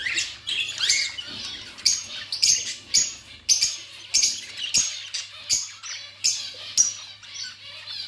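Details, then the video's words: Pet budgerigars chirping: a busy run of high, sharp chirps and twitters, some slurred upward, arriving in irregular bursts about twice a second over a low steady hum. "Budgies sounds and chirping"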